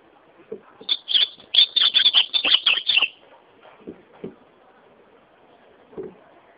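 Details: Azulão, the ultramarine grosbeak, delivers a quick burst of bright, clear, chattering whistles for about two seconds, then falls quiet while a few soft low knocks follow.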